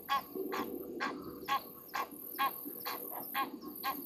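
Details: Egyptian geese upset over something at 22:41 at night at a waterhole on Djuma Game Reserve, Sabi Sand, South Africa: harsh, broad honks repeated about twice per second with a steady high insect hum.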